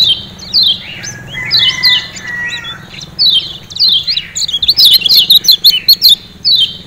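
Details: Lombok lemon-bellied white-eye, known locally as kecial kuning, used to coax caged birds into singing: high, sweet slurred notes with some short whistled lines, building to a rapid cluster of sharp chirps.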